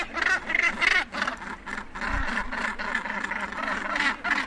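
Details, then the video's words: Northern gannets at the edge of a breeding colony, calling close up as birds land and take off: harsh, grating rasps repeated rapidly in overlapping bursts, several birds at once, with a low thump near the middle. "Northern Gannet / Edge Of Colony. CU Calls And Flight Calls. Birds Landing And Taking Off."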